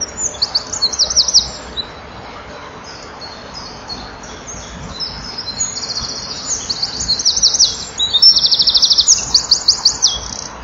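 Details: Male Eurasian wren singing to females nearby, nest-box camera, 7 June 2012, late afternoon: an opening burst of shrill trills, a quiet gap, then a long rising run of buzzy rattles and piercing high notes.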